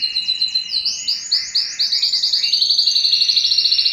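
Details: Yellow canary singing quick high notes that accelerate into a dense, rolling trill sustained to the end.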